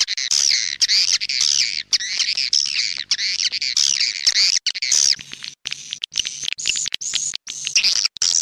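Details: Swiftlet lure sound in the "clop tanjung" style, played for swiftlet farming: many birds twittering at once in high, wavy chirps, thinning into separate short chirp bursts in the second half, with a faint low hum early on.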